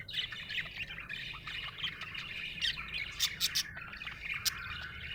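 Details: Happy budgerigar chatter: busy warbling of squeaks and trills, with a quick cluster of sharp clicks past the midpoint.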